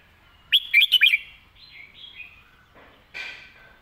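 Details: Red-whiskered bulbul giving a crisp master-song phrase of five quick, loud whistled notes. Softer warbling chirps and a short harsh note follow in a quiet setting.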